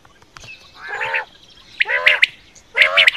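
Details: Quail calls used for hunting: three drawn-out, nasal, harmonic squawks, each under half a second, separated by brief pauses. The background is quiet.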